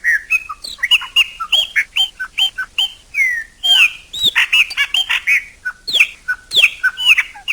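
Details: Chopi blackbird singing in nature, a continuous, fast series of loud liquid whistles and slurred notes, some rising, some falling, broken by a few sharp descending clicks.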